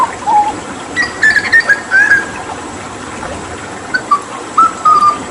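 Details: Papuan hooded butcherbird in lively 'tembakan' training song with water therapy: a low whistled note, then a run of sliding whistles at higher pitch, a pause, and a few fluted falling notes; faint background hiss.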